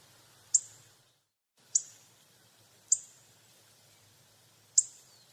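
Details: Hawfinch repeating a single sharp, high 'tzik' note four times at roughly one-second intervals, each click clean and abrupt, over faint low background hum.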